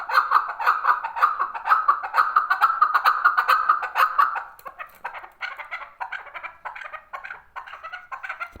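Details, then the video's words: Male chukar partridge calling: a rapid run of throaty clucking chuk notes, about two per second, steady and loud at first, then breaking into looser, rougher phrases. "male chakor partridge voice"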